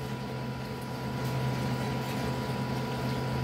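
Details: A steady indoor electrical hum with a low drone and faint tonal lines, and no animal voice.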